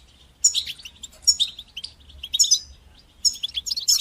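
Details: Goldfinch training song of the bitbita and sitsita type for teaching fledgling goldfinches: bright, tinkling twitters with thin whistled notes, delivered in four separated bursts.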